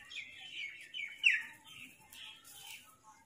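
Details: Large flock of black crows attacking food, angry calls: harsh, rasping caws repeated in irregular bursts about every half second, overlapping one another.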